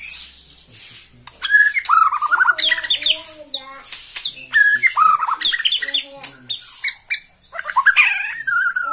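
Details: Bornean white-rumped shama singing excitedly from one spot at the sight of a rival, with varied phrases of slurred whistles and scratchy notes at irregular intervals over a faint, constant hiss.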